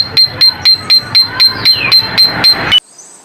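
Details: Coleto (Sarcops calvus), a Philippine starling, calls with a fast, even run of sharp metallic clicks, about four a second, each with a thin high whistle, stopping abruptly.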